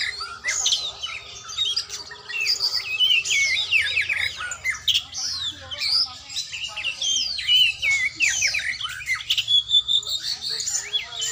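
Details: Oriental magpie-robin in song training, pouring out loud, rapid phrases mixing harsh squawky notes with whistled slides and chips, in pulsing bursts over eleven seconds, with a faint low hum.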